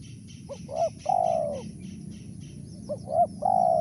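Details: Mersik-style spotted dove call: short notes with a rising hook leading into drawn-out, slightly falling coos, twice, with faint high chirps of other birds overhead.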